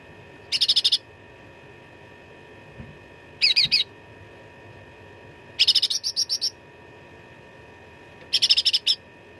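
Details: Cucak ranting, the Black-headed Bulbul, giving gacor fighting song ('suara tarung') with rich 'isian' fill, recorded as master training audio for contest birds: four short, dense, high buzzy trilled bursts spaced about three seconds apart over a steady background hum.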